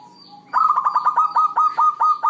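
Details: Zebra dove, a local bird in good singing form, used to lure other zebra doves into singing; a burst of rapid, rolling coos with several quick notes stuttered together, starting after half a second of quiet.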